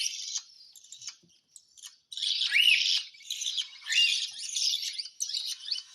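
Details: Hand-fed pet cockatiel, with budgies also being fed: harsh, hissing, raspy calls in long noisy bursts, some carrying a short rising-falling squeak, after a quieter start.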